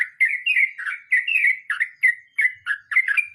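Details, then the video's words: Sooty-headed bulbul delivering a short rolling 'mbonang' phrase: a string of clear, warbled whistles sliding down and up, roughly three notes per second, crisp and loud. "Trucukan nge roll mbonang istimewa"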